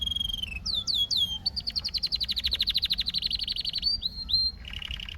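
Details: Canary song opening with downslurred whistles, then a long rapid trill of repeated bright notes, followed by short whistles and a lower rolling trill.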